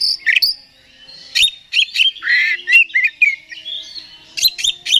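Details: Lure song of an oriental magpie-robin for stirring up another bird: varied whistled phrases with downslurred and rising notes, some harsher chattering in the middle, and sharp clicks at the end.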